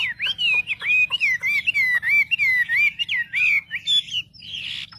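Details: Wambi song played to excite rival wambi: a regular series of loud, clear downslurred whistles, roughly two per second, ending in a harsh buzzy burst.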